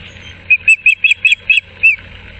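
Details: Ospreys changing over at their Moorings Park nest, 6 March 2024, with a fish delivery: a quick series of seven sharp, piping whistled chirps, evenly spaced, the last slightly drawn out.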